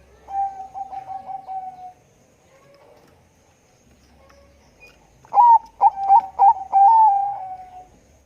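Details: Zebra dove of the Bangkok type, calling actively in a thick voice: a run of short clipped mid-pitched coos merging into a long level note, then after a pause a louder burst of sharp staccato notes ending in a drawn-out trailing coo.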